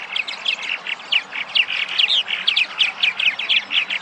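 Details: Returning purple martins in Massachusetts in spring, at their breeding sites: continuous lively chirping from several birds, with sharp downslurred notes repeated several times a second.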